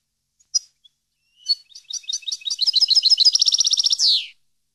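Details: Captive-training song of a European goldfinch: scattered single chirps open into a rising sequence of twittering notes, a rapid rattling trill, and a final rasping descending buzz.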